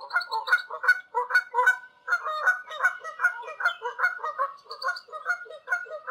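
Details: A flock of wild Canada geese honking in flight high above the ground somewhere in Canada; steady overlapping nasal honks continue throughout with hardly a break.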